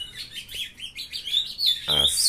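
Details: Young ultramarine grosbeak kept in captivity, a brown juvenile beginning to sing on a June 2020 morning. Short series of rising and falling warbled notes ending in a bright, harsher burst.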